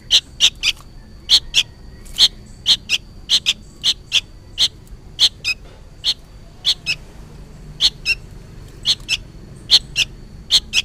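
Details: Juvenile sooty-headed bulbul clamouring, apparently for its parent, with a long rapid series of short, sharp chirps, many paired, nearly three per second, over a quiet steady electronic-sounding whine.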